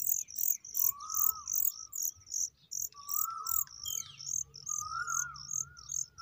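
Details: Familiar chat chicks calling as they are fed, a steady stream of shrill, very high chirps in quick regular bursts, with a repeated slurred mid-pitched whistle underneath about every two seconds.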